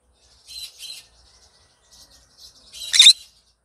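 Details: A happy green conure singing in the morning: two soft, scratchy notes, light chatter, then a loud, harsh screech rising out of the chatter.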